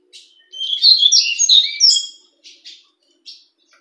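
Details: A captive fawn ('fulvo') double-collared seedeater delivers a quick warbling phrase of high whistled slurs lasting under two seconds, followed by a few short, soft buzzy notes.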